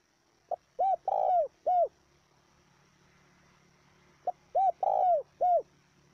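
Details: Repeated spotted dove coo phrase for training decoy birds: a short opening note then three round, arched coos with a stretched middle coo, given twice about four seconds apart over a faint hum.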